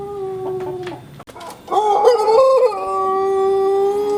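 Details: Sunning Pelung chicken in Sukabumi regency. A held crow tails off, then after a short pause a new crow climbs in wavering steps and settles into a long, even, sustained tone.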